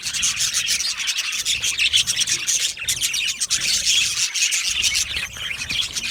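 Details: Budgerigars singing and chirping: a dense, continuous high warbling chatter of overlapping chirps and scratchy notes, steady in loudness with brief dips, no other clear sounds.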